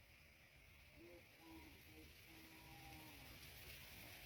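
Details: Greater coucal at the nest while a parent brings mice to feed its chicks; soft, low, tonal hooting notes, some short and some drawn out and gently sliding, scattered over about three seconds against a steady background hiss.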